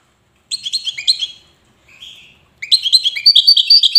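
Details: European goldfinch from Safi, Morocco, in the Wedani song style, delivering jangling, twittering phrases of fast high notes with a soft buzzy note between them.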